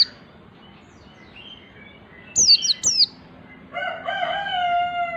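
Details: White-eye singing ngalas while learning nembak gives a short group of sharp, high, falling notes, followed by a lower, drawn-out, slightly wavering call from another bird.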